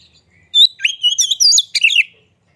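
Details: Singing hard with a spread tail, an Oriental magpie-robin lures rivals into song. A faint whistle leads into a rapid tumble of sliding whistles and chattering notes, about a second and a half long.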